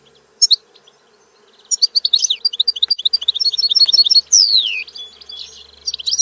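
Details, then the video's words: European goldfinch song starting with a lone chirp, then accelerating tinkling twitters and a quick trill, followed by a prominent long falling whistled slur and further bright chirps; quiet low hum in background. "Canto del Cardellino - Song of the goldfinch"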